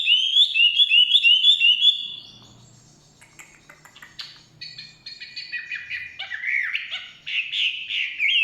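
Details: Chinese hwamei in forest singing: a quick series of repeated whistled notes, a brief pause with scattered clicks, then varied, warbled phrases building again.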